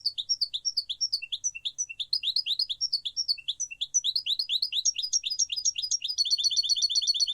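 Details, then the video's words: European goldfinch, possibly with a great tit, sings a fast, bright, tinkling twitter of high liquid notes, about four a second, ending in a quicker run of evenly repeated notes. "The sound of Goldfinch and Great Tit"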